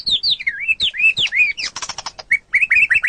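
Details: White-rumped shama (murai batu) song from a bird-training master recording: sweeping upslurred and downslurred whistles, then a burst of rapid scratchy notes, then further quick rising whistles.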